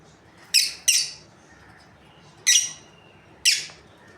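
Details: Lovebirds, a breeding pair, giving four sharp, high, harsh chirps: two close together, then two single notes about a second apart, over quiet background hiss.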